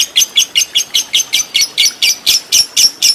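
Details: Lovebird trained as a fighter bird with a long ngekek chatter; a steady series of about thirteen sharp, high, rasping chirps repeated roughly every quarter second, clean with no other sounds.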